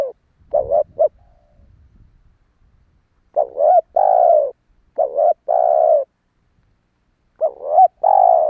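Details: Spotted dove calling, a recording meant to attract wild doves: quick stuttered double notes each leading into a longer, slightly falling coo, phrases repeated after pauses of a few seconds, quiet background.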